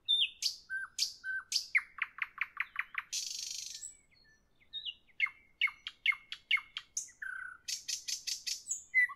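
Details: {'caption': 'Long evening song bout from a nightingale: rapid repeated sharp falling notes, a harsh buzzy rattle, a pause, then more rhythmic chip series, a low whistle and a fast high trill.'}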